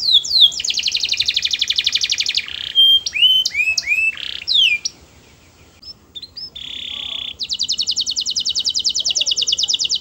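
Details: Canary singing sweetly, a domestic cage bird's song of fast buzzy trills of repeated high notes, broken by clear slurred whistles and a short pause, then another rapid rattling trill.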